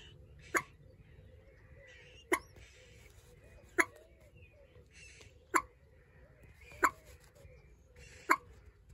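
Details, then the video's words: Common moorhen chicks: short, abrupt, explosive calls with stacked harmonics, repeated irregularly about every one to two seconds. Faint thin tonal sounds lie between them over a low background rumble. "Moorhen Babies"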